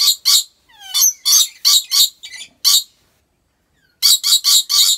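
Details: Rainbow lorikeet in a zoo in Aceh Besar, Indonesia, uttering rapid, coarse screeches about four a second, with a brief descending whistled slur among them and a pause before a final burst.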